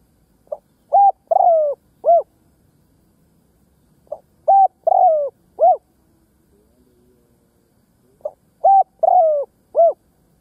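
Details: Decoy spotted dove cooing from the ground to lure and provoke wild doves: three phrases about four seconds apart, each a soft short note, then two clear coos, a long drawn coo sliding downward and a final rounded coo; quiet background.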